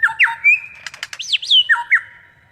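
Superb lyrebird giving a rapid medley of clear whistles and swooping rising-and-falling notes, broken by a burst of harsh, rattling clicks midway.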